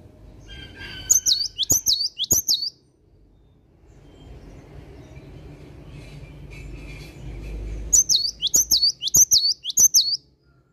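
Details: A cinereous tit sings energetically in the morning, giving two runs of four or five high, looping whistled phrases separated by several seconds of broad low rumbling noise.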